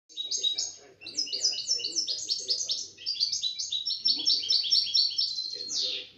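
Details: European goldfinch taken out of its box, singing in 2017: a fast, unbroken jingle of bright twittering and tinkling notes, with quick trills rising toward the end. Low human voices murmur in the background.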